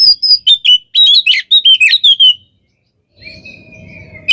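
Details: Oriental magpie-robin delivering a quick burst of loud, clear whistled notes, about a dozen in two seconds, then silence and a faint hum; the singing is described as provoking other birds.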